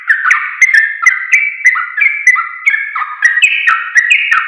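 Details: Trucuk, or sooty-headed bulbul, singing for the training of caged songbirds: rapid chattering phrases of liquid, downslurred whistled notes that follow one another without pause and step slightly higher near the end.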